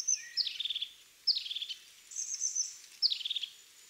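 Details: European crested tit giving three short phrases, each a bright high note falling into a brief buzzy stutter, with a faint thin twittering between them.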